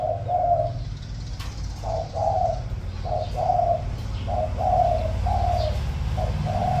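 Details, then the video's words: Cooing of a caged spotted dove used as a decoy, 'giọng thổ' style: repeated soft coos in short-long pairs, slightly uneven spacing, over a rumbling low background and a faint click. "Cu Gáy | 100 | Mồi Lỡ | Giọng Thổ | Gù Tốt"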